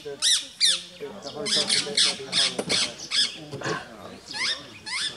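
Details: Rose-ringed parakeets nipping at a rat snake's tail to drive it off, Gir Forest, Gujarat, India, 3 April 2015. Repeated harsh, slurred screeches overlap with chatter from a group of watching people.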